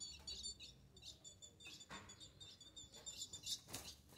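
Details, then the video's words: Young female ultramarine grosbeak, eight months old, begging for mating: rapid high, thin chips in quick irregular bursts, with soft wing flutters and brief broadband rustles between calls. "FÊMEA DE AZULÃO Melhor do Brasil Com apenas 8 Mês Pedindo muita Gala"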